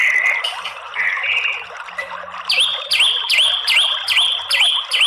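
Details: White-rumped shama lure song for making males sing aggressively: after a few mixed whistles, a bright rising-and-falling whistled phrase repeats about six times in quick, even succession.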